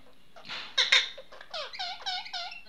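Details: Pet Indian ringneck parrot known as a talking parrot, producing rough squawks followed by four quick, evenly spaced nasal chatter syllables that bend downward and rise again.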